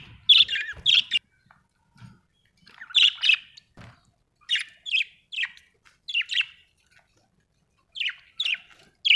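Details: Australian budgies chirp in short paired or tripled bright notes separated by brief quiet gaps, with a few soft knocks in the background.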